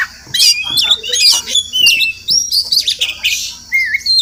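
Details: Wild Oriental magpie-robin visiting a home every morning, possibly nesting nearby, sings a rich run of clear whistled notes, sliding up and down, with quick chirps and a long falling whistle near the end.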